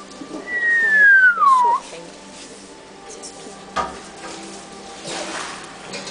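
An African grey parrot gives one long, clear whistle that slides smoothly downward and ends in a quick upturn. Faint background noise and a few soft clicks follow.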